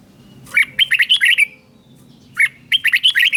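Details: Red-whiskered bulbul from Thailand, a song used to excite caged bulbuls and teach young birds, in southern master style: two quick phrases of bright, warbled whistles of about six notes each, separated by a short pause, over a soft low hum.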